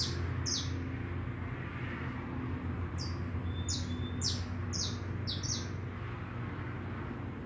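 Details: Saffron finch singing free in the wild: short, bright, high downslurred chips, some doubled, scattered irregularly over several seconds above a heavy low rumble of traffic or wind, with a faint thin whistle in the middle.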